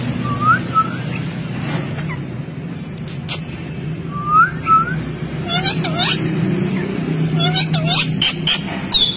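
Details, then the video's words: Pet rose-ringed (ring-necked) parakeet, described as a talking parrot, giving short, clear whistles that curl up then down in pairs, then a burst of harsh, screechy squawks over a steady low hum. "amazing talking parrot | Ring neck"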